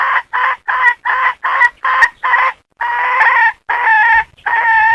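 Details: Hen giving six short clipped squawks followed by three longer, drawn-out harsh notes, a brief pause between the groups, with no other sounds.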